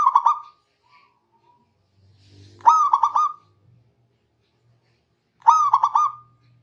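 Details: Zebra dove of local stock singing to call rivals: three bubbling coo phrases spaced about three seconds apart, each a sustained note and rapid triple pulse, over a faint low rumble.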